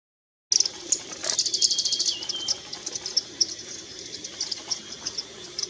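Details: Yellow-throated Fulvetta calling at Eaglenest, Arunachal Pradesh, India, on 19 May 2019: thin, very high chips and twittering notes in quick, uneven bursts, with a faint steady whistle and a high insect-like hiss behind.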